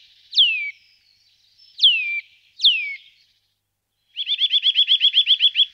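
A Eurasian nuthatch gives three loud, sharply falling whistles about a second apart, then a fast, even trill of about a dozen rapid notes. No other sounds are heard.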